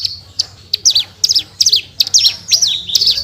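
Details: Caged Horsfield's bush lark (branjangan) in full 'gacor tembakan' song for tutoring pet birds: quick high chirps and downslurred squeaky notes in rapid bursts, irregularly spaced, over a faint steady hum.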